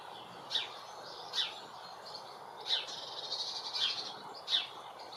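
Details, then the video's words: Female European greenfinch in a UK garden giving short, sharp high chirps, roughly one every second, with a brief soft twitter between them over quiet background hiss. "Greenfinch Call"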